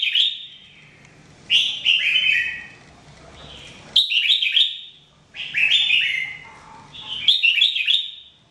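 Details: Red-whiskered bulbul in daily singing training, repeating short bright whistled phrases about every two to three seconds, each a quick cluster of rising and falling notes, with quiet gaps between.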